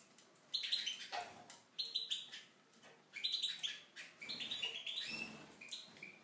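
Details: Tunisian goldfinch singing in an aviary: bright, tinkling, twittering phrases with high buzzy notes and trills, delivered in bursts about every second or so, separated by short pauses, with faint clicks and knocks from the aviary.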